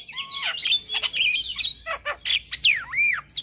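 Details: A male Javan myna, singing vigorously in the morning, delivers a varied full song: sweeping whistles rising and falling, with scratchy squawks and arching slurred notes packed closely together.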